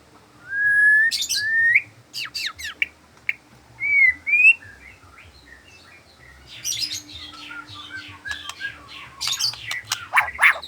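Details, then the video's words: White-rumped shama's afternoon song: two clear upslurred whistles, sharp clicks, another pair of rising whistles, then a long stretch of quieter, varied chattering notes. "merdunya suara burung muray di sore hari"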